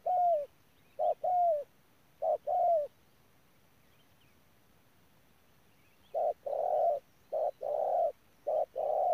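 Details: Spotted dove used as a ground decoy at Đức Cơ: a few short falling coos, a silent pause of about three seconds, then a louder burst of rounded coos in quick succession against a quiet background.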